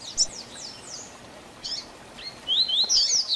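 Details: Double-collared seedeater performing a 'tui tui zel zel' tutor song meant to teach young birds: a few high, descending whistles, a short pause, then a loud, flowing run of upslurred and sweeping whistled notes.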